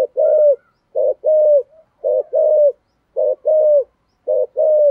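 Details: Spotted dove cooing in the 'thổ' voice, used to entice wild doves. Five regular couplets of a clipped burry note and a longer falling coo, steady tempo about once per second, clean quiet background.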